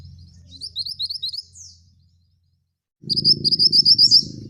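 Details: Male scarlet minivet singing a rolled trill of high notes, breaking off into a downward slur, a brief silence, then another fast rolling trill over a low hum; song type described as ngerol tembak.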